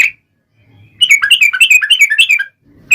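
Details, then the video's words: Yellow-vented bulbul song used as a lure to make other bulbuls sing: a long rapid run of bubbly, gurgling whistled notes around the middle of the clip, bracketed by short phrases. "trucukan gacor TARUNG ROPEL PANJANG pancingan trucukan agar bunyi JADIKAN burung trucuk gacor NYAUT"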